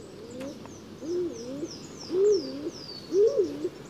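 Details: A Stock Dove, a rather uncommon bird of Swedish deciduous woodland, sings low, muffled, half-choked two-syllable coos about once a second, starting sluggishly and then pumping itself up, with a faint thin high whistle from another bird behind.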